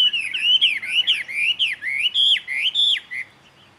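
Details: Jungle babbler, which mimics other birds' calls, giving a rapid run of about ten squeaky, bending whistled notes, roughly three per second, each swooping up then down; nothing else is heard.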